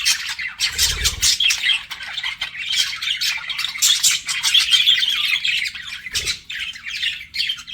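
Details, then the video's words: Flirting pet budgies chattering with scratchy chirps and bright whistled notes, interrupted by two soft low thumps, the warbling babble running steadily throughout. "BUDGIES FLIRTING"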